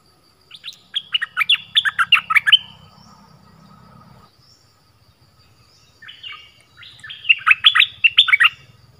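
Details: Orange-headed thrush song played as a decoy to attract wild birds; a long run of rapid, varied whistles, a quiet stretch with a low rumble, then a second phrase that starts softly and builds.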